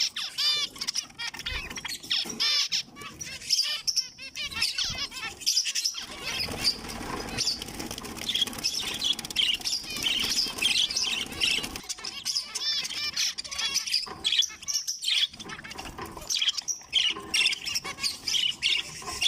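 Young zebra finches keep up a busy stream of high, nasal chirps and short beeping calls.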